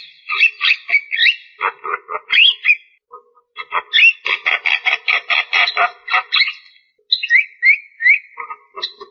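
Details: Black-winged starling in a long song: a varied mix of slurred whistles, rapid rhythmic chattering bursts and rising whistled notes, delivered almost without pause.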